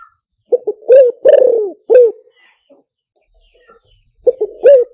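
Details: Loud spotted dove cooing for luring through a loudspeaker: quick paired stutter notes leading into a long downward-sliding coo and a short final note, the phrase starting again after a brief quiet gap.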